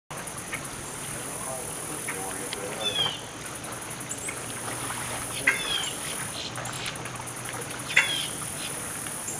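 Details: A grackle at Circle B Bar Reserve gives short, harsh squeaky calls about every two to three seconds over steady traffic hum and a high insect hiss.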